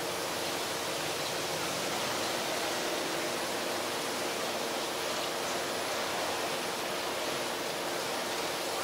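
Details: Steady broadband rushing noise, like flowing water or strong wind, fills the recording with no animal calls.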